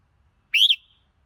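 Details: Red-whiskered bulbul giving one bright whistled note that rises and then falls, with a short clipped ending, heard alone over faint low background rumble.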